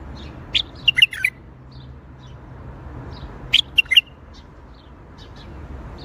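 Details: Bulbul song of the Baghdadi style: two clusters of quick, sharp warbled notes separated by a long pause, over a faint low hum.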